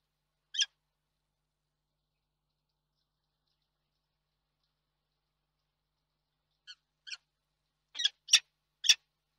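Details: Peregrine falcon calling at its nest in Reda, Poland, 31 March 2022: one sharp harsh call, a long pause, then a quickening series of five short chipping calls growing louder at the end; no other sounds.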